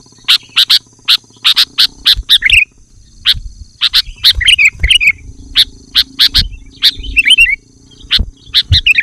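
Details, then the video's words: Sooty-headed bulbul calling to draw in wild bulbuls: series of sharp clicking notes repeated about twice a second, broken by a few short bubbly warbles. "Suara Burung Kutilang Gacor Memanggil Kutilang Liar Bikin Burung Kutilang Emosi Dan Ikut Gacor"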